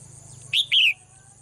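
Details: Female cage bird singing in the morning gives two sharp, bright chirps in quick succession, the second slightly longer, over a faint steady background hum.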